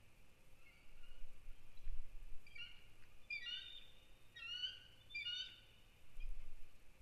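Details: Bald eagle alert calls at a nest on December 1, 2019, while an intruding adult eagle is chased past. Clusters of sharp, high, piping chirps come in three or four bursts over a low background rumble.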